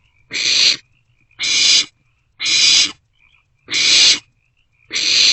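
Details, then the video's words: Nest-box barn owlets at night on 27 March 2024, sharing food. Five drawn-out hissing screeches, each close to half a second long, about one every second or so. "Barn Owlets Share a Meal"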